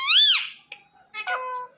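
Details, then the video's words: Indian ringneck parakeet talking on a Thursday night, a loud arched whistle-like note followed by short harsh chattering syllables with layered harmonics. "Ringneck Parrot Talking"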